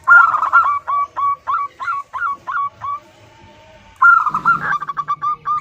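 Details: Zebra dove hen calling her mate: a quick run of about a dozen short, hooked cooing notes, each with a small upward flick. After a pause a second rapid burst follows, with a brief rough rasp in the middle.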